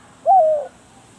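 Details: Spotted dove used as a decoy gives a single clear, mellow coo, a slightly wavering tone of about half a second, over a soft steady hiss.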